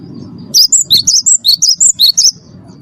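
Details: Cinereous tit kept in captivity, its song used as a lure for other birds: a single phrase of about ten quick, ringing whistles zigzagging between higher and lower pitches, over faint low rumble.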